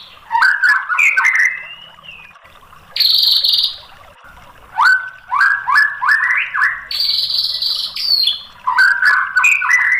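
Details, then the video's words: White-rumped shama song used as a lure to provoke another bird into answering. Varied loud whistled phrases: rising slurred notes, quick chip runs and bright high bursts, with short pauses between phrases. "MASTERAN MURAI BATU biar EMOSI jadi NYAUT GACOR"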